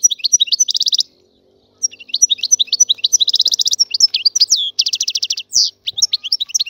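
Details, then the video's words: Free Algerian European goldfinch singing: rapid buzzy, twittering phrases with dense trilled bursts, a brief pause after the first second, then continuous chattering notes and sharp slurred whistles. "تغريد طائر الحسون الحر"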